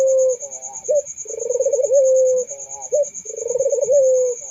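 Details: Barbary doves cooing melodiously: drawn-out low coos that open with a short rising note and then hold a steady pitch, about one every two seconds, against a continuous high, pulsing insect trill.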